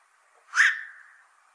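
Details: Single loud, harsh croak from a black-crowned night heron, a brief rasping bark that rises sharply and fades over about half a second.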